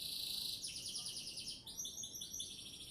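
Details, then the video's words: Singing canary in Sidoarjo, Indonesia: a dense high rattle, then rapid repeated downward-slurred notes and bright chopped trills, all very high-pitched. "Kicauan Burung Kenari"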